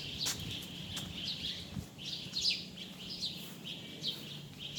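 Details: Bird calls outdoors, high chirping phrases and short downward-swept whistles, a few sharp clicks, with a low humming background.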